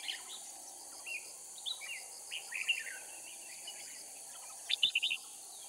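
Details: Red-whiskered bulbul used as a decoy from Cao Phong for trapping wild bulbuls in Kim Bôi, Hòa Bình, Vietnam; short, fast warbled phrases scattered through the clip, with a louder burst of bubbling notes near the end over a steady high insect hiss.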